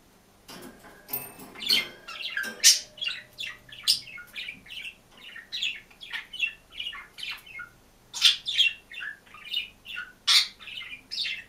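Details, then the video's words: Green budgerigar kept alone in a cage sings and chirps: a long, continuous chatter of scratchy warbles, clicks and high squeaky notes, densely packed, with varied short phrases throughout, in a quiet room. "МИЛЫЙ И ЗАБАВНЫЙ ПОПУГАЙ ПОЕТ И ЧИРИКАЕТ/ОДИН В КЛЕТКЕ/зеленый попугайчик"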